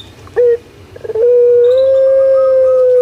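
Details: Indonesian puter pelung collared dove kept at home: one short clipped note, a brief stutter, then a long pure coo that rises slightly and holds steady without a break.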